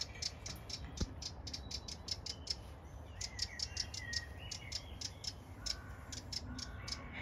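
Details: An angry wren on a farm field in County Kilkenny, Ireland, scolds with rapid, hard ticking chirps in quick bursts, likely with a baby wren on the ground nearby as dogs and a cat approach, over a low outdoor rumble.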